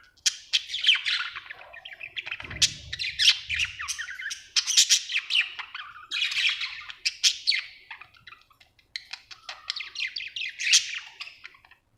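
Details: Happy pet budgie chattering nonstop: dense scratchy warbling with harsh squawks, rapid clicks and chirps in loud bursts, and a short low thump partway through.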